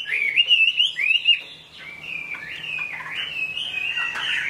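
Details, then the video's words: ['Chinese hwamei song in the rain: rich, rising and falling whistled phrases, strong at first, then a softer, drawn-out warbling whistle that wavers in pitch.'] "Họa mi hót trong mưa"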